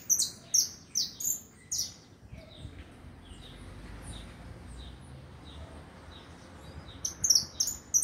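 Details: Saffron finch song opens with several loud, high chirps, falls to scattered faint notes over a steady low rumble for several seconds, then resumes with a fresh burst of bright chirps.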